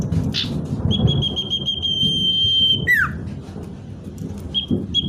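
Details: Common iora song used to lure wild birds closer: a long, steady, pure whistle held for nearly two seconds, then a sharp downward slur, with short whistled notes afterward over a rumbling background.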